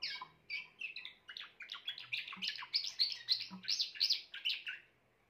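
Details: Grey Timbrado canary delivering a continuous rolling song, a fast chain of bright, slurred and trilled notes at about three per second, ending abruptly.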